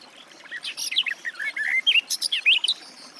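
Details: Garden warbler (Sylvia borin) singing a single rapid, mellow warbling phrase of about two seconds, with jumbled notes that rise and fall, ending in a few sharper high chirps.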